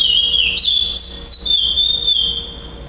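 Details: Chestnut-bellied seed finch singing at a tournament in Florianópolis, Brazil, 11 December 2011, where it took first place. It gives a rich, sustained whistled song with smooth slurs and brief rising flourishes before fading.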